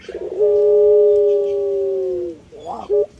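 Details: Puter pelung collared dove, an ornamental hobby breed, sings one long, steady coo lasting about two seconds that sags slightly at the end, followed by a brief wavering trill and one short note.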